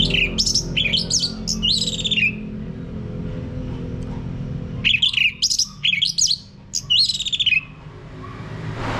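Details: Male orange-headed thrush (anis merah) singing in the ngeplong style, used to prompt other males to sing: two bursts of high whistled, slurred phrases that rise and fall, separated by a pause, over a steady low hum.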